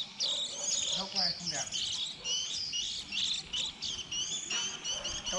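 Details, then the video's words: Juvenile white-eyes at the beginning of the 2020 season, a recording collected for luring: busy high chattering of short sliding notes, nearly continuous, with a few faint lower sounds mixed in. "Tiếng khuyên non đầu mùa 2020"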